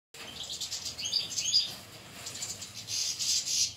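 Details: Several caged European goldfinches singing: bright, fast twittering chirps and tinkling high notes in bursts, louder near the start and again toward the end, with a faint low background hum.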